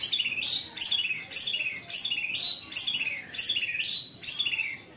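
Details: Long-tailed shrike (cendet) giving a rough 'kaca kaca bessetan' phrase, harsh buzzy notes sliding downward, repeated about every half second with steady rhythm.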